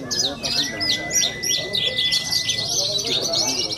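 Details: Young contest bushlark from Cilacap, Indonesia, singing a series of sharp, high looping notes about three per second, then a denser twitter, over a thin continuous whistle.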